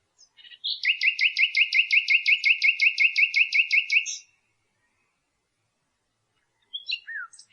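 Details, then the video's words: Nightingale singing a long, very regular series of about sixteen paired notes, each a high tick followed by a lower upward-swept note, then silence and a short twittering phrase. "NIGHTINGALE sounds"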